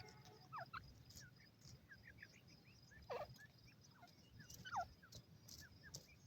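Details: Partridge hen, possibly a grey francolin, with chicks feeding: many thin, downslurred peeps scattered throughout, with two louder falling calls, over a low background rumble.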